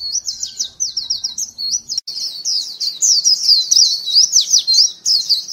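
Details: Lure call of a white-eye, a continuous high, sweet twittering with fast slurred up-and-down notes that grows louder and denser toward the end; a faint low hum sits underneath at first.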